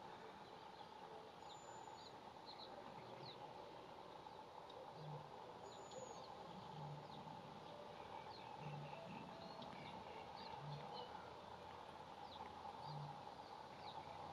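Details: Eurasian penduline tit calling from a willow near a power station on 1 May 2017, likely around its nest: two thin, very high, drawn-out, slightly falling whistles a few seconds apart, over background rumble and faint chips from other birds.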